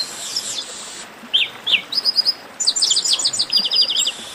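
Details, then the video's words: Chestnut-capped blackbird delivering an esquenta warm-up song: high buzzy chatter opens, then falling slurred whistles, and finally a rapid run of sharp repeated notes, close and distinct. "Melhor Esquenta de Garibaldi"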